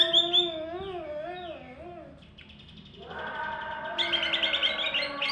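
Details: Greater green leafbird singing in the "roll" and "tembak" manner. Wavering warbled phrases slide up and down, then after a brief lull comes a burst of rapid high repeated notes.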